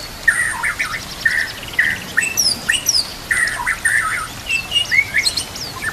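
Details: Murai batu song for training other murai birds: repeated mid-pitched warbled phrases alternating with thin, high whistled notes, in a steady pattern with brief pauses.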